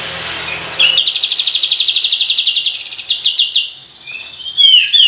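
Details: Kapas tembak bulbul singing in full voice, a master recording used as a lure to provoke birds: a short whistled note, then a fast, even roll of high clipped notes for about three seconds, ending in slurred whistles.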